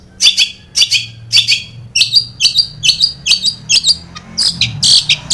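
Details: Long-tailed shrike lure for captive birds: sharp scratchy high notes repeated in a fast, fairly steady series of about two per second, over faint low background hum.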